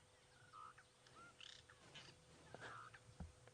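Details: Cape glossy starlings feeding in elephant dung on a morning safari drive give short, slurred whistles and harsh chirps in an irregular scatter over a low engine-like rumble, with a few sharp knocks.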